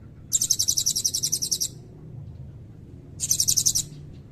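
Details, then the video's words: Blue-crowned hanging parrot singing actively in a long cililin-style fill, kept as tutor song for magpie-robins and kacer: two bursts of very high, rapid buzzy pulsed trills, the first about 1.3 seconds, the second shorter, over a low background hum. "Burung Serindit Gacor Nembak Isian Cililin Panjang"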